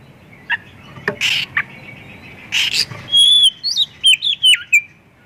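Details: Oriental magpie-robin (kacer) singing a full-content 'full isian' song used as a lure to prompt other magpie-robins to sing; a few harsh buzzy bursts and clicks, then rapid high whistled notes sliding up and down in quick succession.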